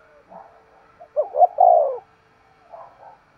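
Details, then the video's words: Spotted dove cooing in the 'thúc gù' manner. A single loud phrase of two short hoots and a prolonged, sliding coo stands out between faint, soft murmurs. "Tiếng chim cu gáy thúc gù cực sung"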